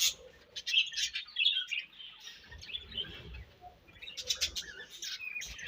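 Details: Budgies chirping while eating: a steady stream of high, quick twittering notes and scratchy chatter with occasional sharp clicks, mixed with soft low rustling from feeding.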